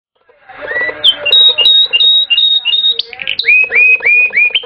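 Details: Canary (Serinus canaria), song.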